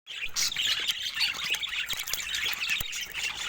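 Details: Budgerigar warbling: a continuous, busy stream of high chirps, twitters and short whistled notes with scattered clicks and no pauses.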